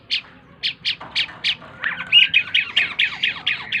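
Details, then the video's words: A tame Asian pied starling (jalak keling), singing to a lure recording, gives a harsh, squawky run of scratchy notes, first spaced about half a second apart, then quickening into a rapid chattering series. "burung jalak keling gacor dor // burung cucak keling jinak gacor"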